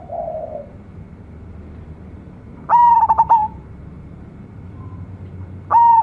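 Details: Young local zebra dove from champion decoy-bird stock. After a soft low coo, a loud phrase of clipped, rapid stuttering notes on one pitch sounds, and a second phrase begins at the end.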